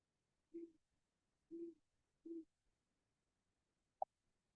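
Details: A mature Great Horned Owl, heard faintly, gives three soft, low hoots about a second apart, followed after a pause by a single sharp click.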